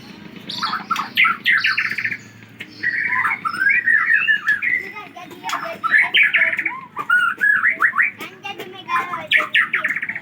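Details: White-rumped shama from Aceh, recorded 24 December 2022, singing a varied run of whistled and chattering phrases around mid pitch, with sharp clicks and faint voices in the background.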